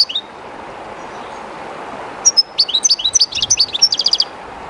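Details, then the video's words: By the Jerte River a somewhat timid European goldfinch gives a brief note, pauses about two seconds over the water's hiss, then bursts into a quick run of bright twitters ending in a fast trill. "JILGUERO CANTANDO EN EL RÍO/Goldfinch singing in the river/Chardonneret chantant dans la rivère"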